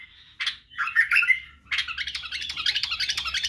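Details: White-eared bulbul, called badrawi bulbul, singing for young birds to learn song, barwaz and wing-clicking: a few separate rich notes, then a fast, even stream of chattering syllables.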